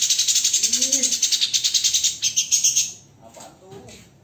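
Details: White-rumped shama in a master recording for training songbirds, giving dense, harsh 'tembakan' shots: a rapid rasping chatter of high buzzy notes, about three per second, for three seconds. It then fades to faint, quieter notes.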